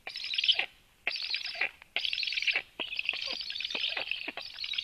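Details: Black woodpecker, female arriving with much food at 13:06: strident hissing buzzes, three separate bursts followed by a longer unbroken rasping stretch.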